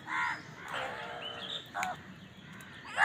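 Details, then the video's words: While feeding, a crow gives a few soft, hoarse caws and a drawn-out nasal call, ending with a louder caw, over quiet outdoor background. "Crow bird crowing sound"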